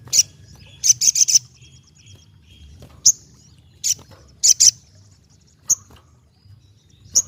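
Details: Ruby-cheeked sunbird singing energetically: sharp, very high chips, some in quick clusters of three or four, scattered with pauses of up to two seconds between bursts.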